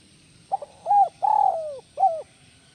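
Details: Spotted dove, tekukur, in the 'kuk 1 melambung' calling style: a quick double stutter, then a short rounded coo, a long drawn-out coo sliding downward, and a brief closing coo, all low and mellow over a quiet background.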